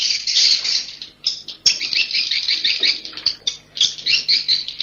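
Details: Swiftlet roosting call, 'Inap Ababil' style: bouts of twittering, buzzy high chirps in irregular clusters with short gaps between them.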